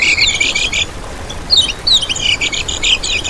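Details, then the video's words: Lemon-bellied white-eye, ngejos master song for luring and trapping other birds: dense high chattering phrase, a short pause, then quick sliding whistles and twittered trills resuming energetically. "Masteran Kecial Kuning Untuk Pancingan n Pikat"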